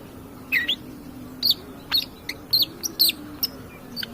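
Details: Sparse long-tailed shrike song from a lure recording meant to provoke other birds, with isolated bright whistled notes and thin chips spaced about half a second apart over a low steady hum.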